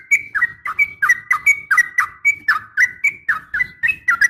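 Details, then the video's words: Sharp fighting call from a female yellow-vented bulbul calling a male: short whistled, slurred notes repeated about three times per second in a steady run, over a faint low background rumble. "trucukan gacor SUARA TARUNG TAJAM ampuh MENJADIKAN agar burung trucuk gacor NYAUT SEKETIKA"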